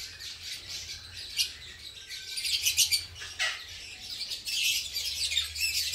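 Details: Colony of green personata lovebirds during breeding and nest making: dense, high, scratchy chattering from many birds, rising into louder bursts near the middle and end.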